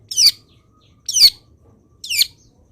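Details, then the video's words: Long-tailed shrike master sound, played to train other birds to sing: three high, buzzy, chattering notes, each about a second apart. "MASTERAN CENDET ANTI GAGAL - CENDET MANAPUN IKUT BUNYI DENGAR INI"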